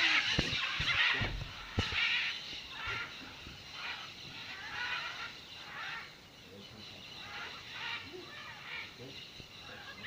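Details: A flock of macaws at the Blanquillo clay lick in Manu National Park gives harsh, grating squawks, overlapping roughly once a second, with a few knocks and bumps near the start.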